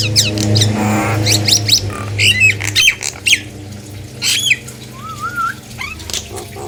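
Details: Nias hill myna in full song, used as a lure to get other hill mynas singing; loud harsh squawks and sharp downslurred notes, with a low hum beneath the first three seconds and a wavering whistle near the end.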